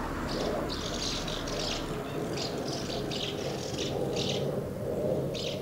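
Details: Crowd of house martins at two nests, feeding and fledging young, recorded 24 August 2012; repeated dry rattled chirps in quick bursts above a steady low hum.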